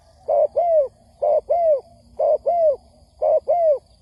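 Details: Spotted dove used as a trapping lure to provoke wild doves, giving four evenly spaced cooing phrases, each a short clipped note followed by a longer mellow down-slurred coo, about one phrase per second, over a quiet low background hum.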